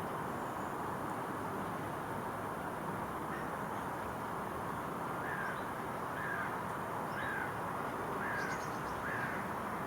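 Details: Female great spotted woodpecker (Dendrocopos major) giving sharp, short 'kik' notes, about one a second in the second half, over steady roaring background noise, in a botanical garden park on 2 August 2014.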